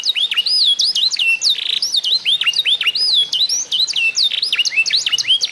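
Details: An eight-month-old F1 SF canary that was trained on master recordings sings a fast, unbroken run of high, sweeping whistled notes, with dips, upslurs and short rattling trills, bright and varied throughout.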